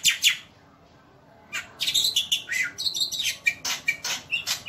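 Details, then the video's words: Javan white starling singing nonstop as a tutor recording: two sharp high notes, a second of near silence, then a dense burst of whistles, chatters and buzzy phrases delivered fast and irregularly. "MASTERAN JALAK PUTIH"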